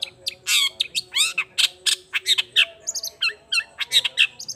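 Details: Long-tailed shrike in energetic lure song meant to make other shrikes answer: rapid string of harsh, buzzy notes and squawks mixed with sharp rising and falling whistles, bursts about every half second, with a faint steady hum underneath.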